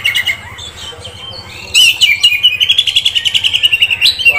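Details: Kept Oriental magpie-robin, offered as a young contest prospect, starts with soft scattered notes, then breaks into a loud, fast, even trill of sharp chirps held for over two seconds.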